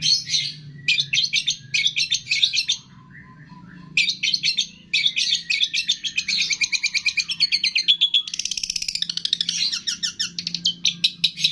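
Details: Long-tailed shrike training song with imitations of cililin, greja tarung, lovebird, tengkek and kapas tembak; shrill chattering bursts, a brief quiet gap with faint lower whistles, then long streams of rapid, high, rattling notes and slurred squeals.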